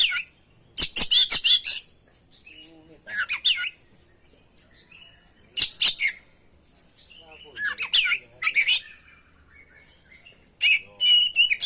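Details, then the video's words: Oriental magpie-robin song used as a training lure: loud clusters of sharp, rapid chirps and rising whistled slurs come in bursts every two to three seconds, with quiet gaps and faint low background murmur between phrases. "masteran pancingan burung kacer gacor isian bongkar"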